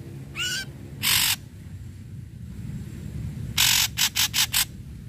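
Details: Ashy Drongo song for prompting mute drongos to sing: a short rising whistle, a long harsh rasp, then a tight burst of four or five scratchy notes against a steady low background noise.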